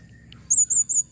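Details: Calling female blue-crowned hanging parrot: three thin, very high drawn-out squeaky notes in quick succession, each slightly wavering, with faint low hum beneath.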